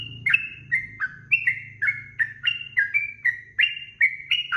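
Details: Rapid 'ropel' song of a sooty-headed bulbul for training songbirds: clear, slurred, chirping notes that drop in pitch, delivered in a fast, even run of about twelve notes over steady low-pitched background noise.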